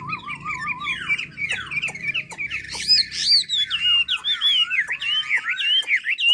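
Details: Handsome Chinese hwamei from Hà Giang in full natural song: a wavering whistle followed by a fast stream of loud, varied upslurred and downslurred phrases punctuated by clicks.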